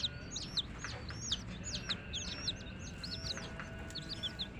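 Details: Several domestic chicks peeping together in quick, bright, high-pitched bursts of arched notes, repeated in clusters throughout, with a steady low hum beneath.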